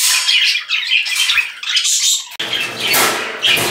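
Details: Pet budgerigar indoors giving busy, raspy chatter with short squawks and warbles; midway a sudden broad rush of noise, likely wing flutter or handling, fills the rest of the recording alongside continued calling.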